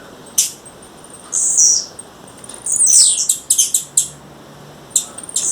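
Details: A wild female blue-black grassquit calling, giving a thin high tick, then a drawn-out buzzy note and a rapid run of sharp clicking chips, ending with more ticks.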